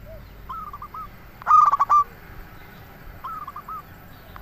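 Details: Local zebra dove decoy song: faint coo series, then a loud burst of fast stuttering coos ending in a drawn note, followed by another soft cooing series.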